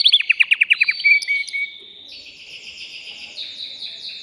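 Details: A caged male canary sings to arouse a female before mating, opening with a rapid series of descending chirps, then a clear whistled note and long sustained buzzy trills.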